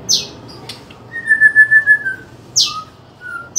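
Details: Caged white-rumped shama of the Medan type, singing a loud fighting-style song: a long steady whistle with a pulsing beat, then sharp high bursts and short lower whistled notes, recorded indoors.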